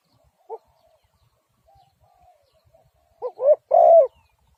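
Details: Spotted dove: an isolated soft coo, a quiet stretch with faint distant whistles, then a full phrase of two short coos building into a long, loud final coo.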